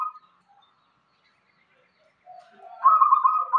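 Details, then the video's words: Local zebra dove in irama-style song: after a short pause, soft low coos build into a loud, rapidly trilled cooing phrase at the end, with no other sounds noticeable. "perkutut lokal irama gacor"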